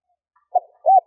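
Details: A captive female spotted dove cooing to excite males, a stuttering three-part style: two brief soft low coos, the second longer and slightly arched, in a quiet setting.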